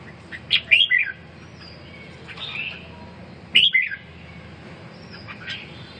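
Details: Red-whiskered bulbul recovering from a cough and respiratory weakness, uttering two short energetic phrases of rapid whistled notes about three seconds apart, with softer slurred notes in between over low background noise.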